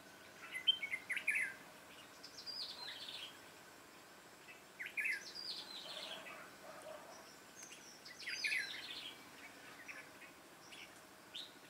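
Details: Red-whiskered bulbul singing at a trapping site on 13 March 2017: short, cheerful warbled phrases repeated every few seconds, moderately distant, with a steady faint background hiss.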